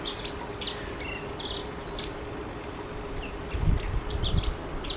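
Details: Long-tailed tit in a rush, giving rapid thin high-pitched chirps in uneven bursts; low rumbling noise swells near the end.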